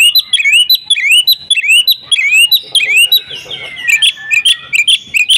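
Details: Agitated Oriental magpie-robin fighting song: clear whistled notes that sweep upward, repeated about every half second, then a run of faster, higher chirps and trills over a sustained piercing tone.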